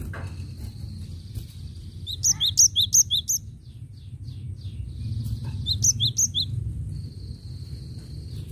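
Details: Cinereous tit in lively song, offered as a lure: two bursts of about four ringing two-note phrases, high then lower, separated by a pause, with a thin steady whistle-like tone and low background rumble.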